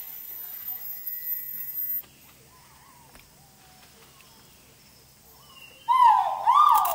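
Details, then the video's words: Great argus in its habitat at Thung Chali, Phang Nga, Thailand, on March 13, 2019; near the end, two loud, clear whistled notes with strong overtones, about half a second apart, follow a steady thin tone and a quiet stretch. "Great Argus นกหว้า"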